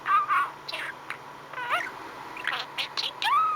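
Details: Pet male budgerigar, content and happy, chattering softly: warbled, rising and falling whistled notes mixed with short clicks, over a steady low hum.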